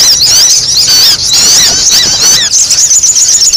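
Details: Sogon sunbird calls used for bird luring. Short bursts of shrill zigzagging squeaks and descending slurs, with a brief gap between bursts.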